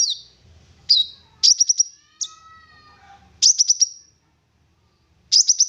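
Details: Olive-backed sunbird lure song to make other sunbirds sing: high downslurred whistles alternating with fast four-note stuttering bursts, roughly every second or two, with a faint lower whistled line and low background hum.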